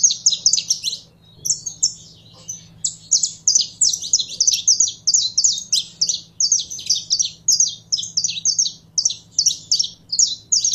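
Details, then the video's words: Captive saffron finch being warmed up, singing a long, fast, continuous run of high, sharp chirps and trills in quick bursts, with a steady low hum in the background. "Canário da Terra Esquentando em 3 2 1!!!"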